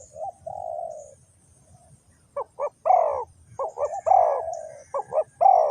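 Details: Trapping-decoy spotted dove of Ninh Thuận cooing: an extended mellow note, a pause, then rapid doubled short coos alternating with longer downslurred ones, loud and close, faint insects hissing above.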